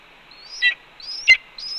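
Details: At a nest camera at Cornell on 4 May 2013, 1:29 PM, a red-tailed hawk calls while its mate feeds on a pigeon; three quick calls, each a thin upward whistle ending in a loud clipped squeal.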